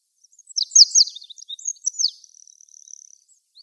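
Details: An olive-backed pipit (Anthus hodgsoni) sings from a flowering tree: a fast, high-pitched jumble of thin sweeping notes and twitters, ending in a rapid dry trill.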